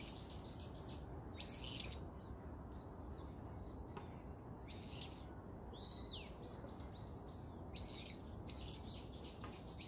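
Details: Chattering birds giving bursts of high, sharp chirps and short rapid trills, some in quick runs of three or four notes, separated by pauses, over a steady low background hiss.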